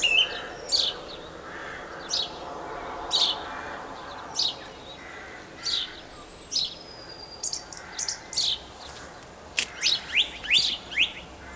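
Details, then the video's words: Song thrush singing at Campbeltown in April 2012: short, sharp high notes and brief phrases delivered at spaced intervals, with a soft background hum underneath. "Song Thrush Singing"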